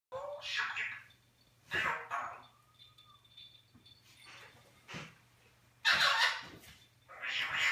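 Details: Captive Eclectus parrot talking, mimicking English and Flemish words, recorded 21 January 2015 indoors; harsh, breathy word-like bursts come in three or four separated phrases, with quiet gaps between them.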